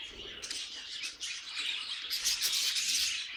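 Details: Budgies singing as a group: soft chatter at first, then from the midpoint a louder, denser rush of scratchy chirps and squeaky twitters.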